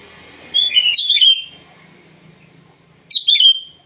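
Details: A sooty-headed bulbul sings at dawn to challenge rivals, giving a rich tumbling phrase of bright descending notes, then a shorter repeat after a pause, over faint low background rumble.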